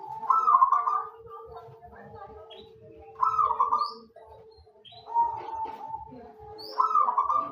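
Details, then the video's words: Caged local zebra dove in full voice, serving as a lure for others to call, gives soft rolling coo phrases roughly every two seconds, with a steady low tone and faint chatter behind. "perkutut lokal alam gacor untuk pancingan pada bunyi"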